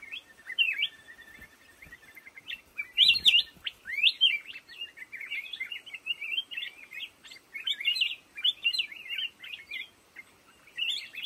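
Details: A black-crested bulbul sings from lồ ô bamboo thicket, pouring out rapid chirpy, slurred whistles in an almost continuous chattering stream, with one brief rustle near the start.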